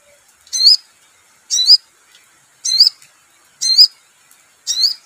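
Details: Little spiderhunter (sogon) lure recording, used to prompt birds into lively song: five sharp, high, chirping notes with a slight downward twist, evenly spaced about one per second, against a quiet background.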